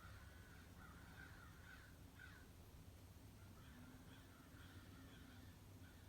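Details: Morning flock of at least 60 crows at a bird feeder: two bursts of distant, harsh cawing, several birds calling over one another, separated by a brief lull.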